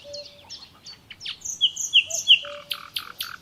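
A varied, rapid song from a common nightingale: whistled slurs, sharp bright notes and buzzy trills in quick succession, with a low steady whistle beneath.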